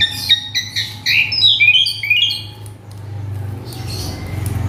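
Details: Agitated male Asian pied starling with a repertoire of mimicked sounds, giving a quick run of sharp, squawky whistled notes that step up and down for about two seconds before fading into low background hum.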